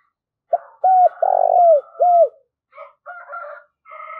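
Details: Decoy spotted dove cooing to lure wild doves: a short lead note, a long rolling coo, then a falling final coo, followed by softer, warbling cooing phrases.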